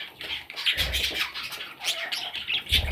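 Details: Baby parrots give a few loud, harsh squawks and high chirps in quick bursts, punctuated by low bumping sounds.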